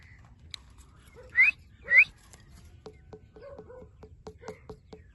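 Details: Ringneck parrot chirping: two short, loud, rising whistled chirps about half a second apart, then soft clicks and light tapping sounds in the background.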